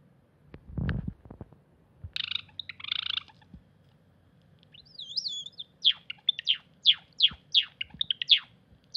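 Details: Cinnamon Java sparrow singing in a weedy garden plot on 8 April 2021: after a few dull thumps come buzzy rattling notes, a short wavering whistle, then a fast series of sharp, clicking notes that slide downward.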